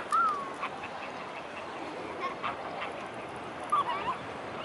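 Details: Mute swans in a gathered flock at Blaues Wunder, evening of 22 May 2016 at 19:25: a short nasal honking call opens, then a quiet gap and two more brief, slightly rising calls near the end over a steady background hiss.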